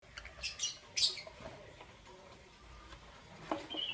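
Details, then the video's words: Green, yellow and lutino lovebirds in the morning giving short, sharp, high chirps in a burst near the start, then a quieter stretch before a few more shrill notes at the end, over a soft low background hum. "Lovebird Chirping Sounds"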